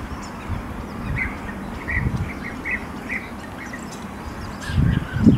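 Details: European bee-eaters at their nesting wall in Burgenland, Austria, in 2023, a site also occupied by many starlings; short burry rolling notes given in a loose series over a low rumbling background.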